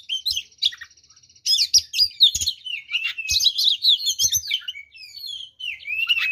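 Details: Oriental magpie-robin song, used to provoke rival magpie-robins into aggression. It opens with a dry, buzzy rattle, then moves into a rich, varied run of high whistles, slurs and chattering notes, with soft low thumps underneath.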